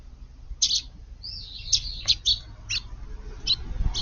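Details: Eurasian tree sparrows in a garden, sand bathing in a flowerbed on a hot day, 5 August; sharp, high chirps repeated roughly every half second, some doubled, with one longer twittering run.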